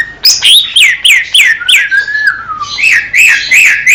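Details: Greater green leafbird in Indonesian nature: a fast series of about eight clear down-slurred whistles, then a long descending whistle and several bright looping notes.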